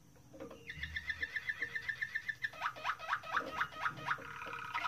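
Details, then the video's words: A Moroccan Malinois canary sings a rapid, rolling trill of repeated notes, about four per second, then shifts into a lower run of falling, water-like phrases. "تغريد جميل لكناري مالينوا مغربي"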